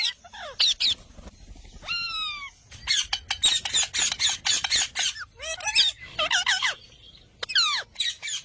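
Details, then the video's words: Green parrot calling: a mix of harsh broadband squawks and clear whistled notes that sweep steeply downward or curve upward, delivered in quick irregular bursts, with short quiet gaps between phrases. "Green parrot"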